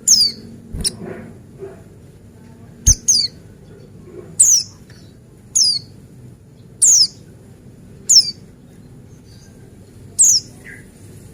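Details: Male Buxtoni white-eye song played to coax white-eyes into singing: about ten bright, falling whistled notes spaced irregularly every second or so, with a couple of dull thumps early on.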